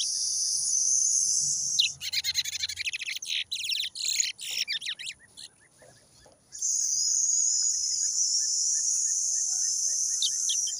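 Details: Brown towa towa from Guyana, 2023: a fast burst of rapid chirps and trilled notes mid-clip, set between stretches of steady high-pitched hiss.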